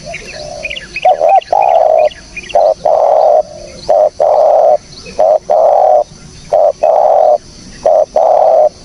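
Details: Spotted dove recorded for use as a lure, giving a steady series of about nine loud, even, hollow coo notes roughly every half second to second, with soft twittering from other birds at the start.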